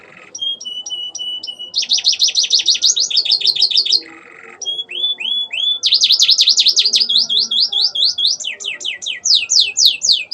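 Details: Canary singing with mimicked phrases of the bar-winged prinia (ciblek) and clicking ciwah: clipped whistled notes, dense high trills, a brief pause, then rapid chattering and descending sweeps, with a faint background hum.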